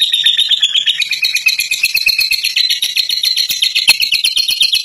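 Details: A fighter lovebird, kept with diligent care and evening baths, pours out a sustained ngekek: a continuous high, rattling trill of rapid clicks, pitch drifting gently upward throughout.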